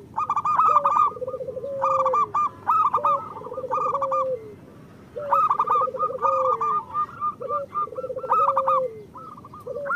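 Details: Several local zebra doves singing, recorded to encourage quiet caged birds: clear bursts of rapid staccato coos every one to two seconds, each followed by lower stepped, trailing coos.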